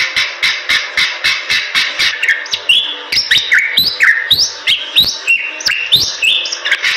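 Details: Bali myna singing, a species found only in western Bali's forests: a steady run of short sharp ticking notes, then varied whistled slurs and upward sweeps over continued regular clicks.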